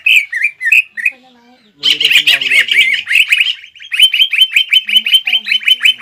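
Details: Lively green leafbird singing in a fighting style to stir up rivals, with mimicked notes of other birds: a few rich whistles, then a dense chattering run of rapid high notes, with faint low harmonic sounds underneath.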